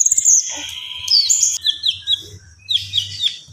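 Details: Common iora singing gacor: a high trill giving way to lower drawn-out whistled notes and short rising-falling phrases, over a steady low hum.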